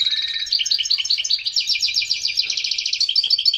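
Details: European goldfinch in excited song to encourage breeding: a steady stream of quick bright twitters and rolling trilled notes, dense and unbroken.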